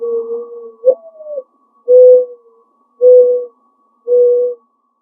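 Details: A backyard mourning dove perched in a tree repeats its soft song: a trailing coo, a rising inflected 'coo-OO', then three even, low, hooting coos spaced roughly a second apart, in an otherwise quiet setting.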